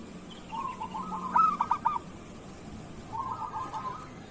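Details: Kerot-style song of a local zebra dove, used to tutor other doves: a brief rolling series with a few sharp accented notes, a pause, then another short trilled run, fairly faint against background hiss.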